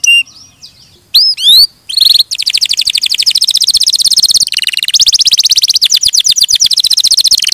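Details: Canary song beginning with a few soft high notes and upward sweeps, then a long run of very rapid buzzy trills varying in pitch.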